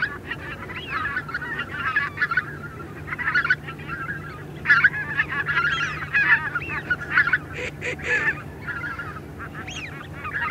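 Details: Greater white-fronted geese, a small flock calling in flight, giving a dense chorus of high yelping honks, some doubled and upslurred, over a constant low hum.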